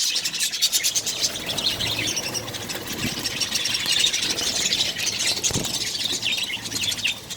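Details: Budgerigar colony where several colourful chicks share a nest; thick, buzzy high chatter with overlapping chirps, plus a few dull knocks.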